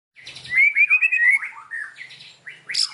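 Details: White-rumped shama singing in the afternoon, a hard, full song: a sweet whistled phrase wavering up and down, then lower slurred notes and a sharp high burst at the end.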